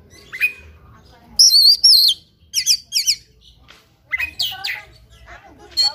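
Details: Oriental magpie-robin in fighting song: a lone thin whistle, then loud quavering whistled phrases and clipped rattles in quick runs, a short gap, and another run of rising, sliding notes and chatters.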